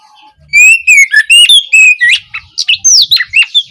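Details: Oriental magpie-robin song used as an opening lesson for young birds: a run of clear wavering whistles flows into faster, sharper notes, with rapid descending sweeps and chirps filling the second half.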